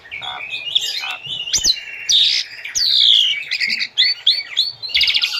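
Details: Asian pied starling tutor song for captive birds to imitate: loud continuous mix of harsh rasps, slurred descending whistles and buzzy high bursts, with a short gap near the fourth second.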